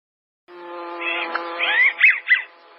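An American wigeon gives a few quick, breathy whistles, rising then falling, in a brief burst over a steady low hum.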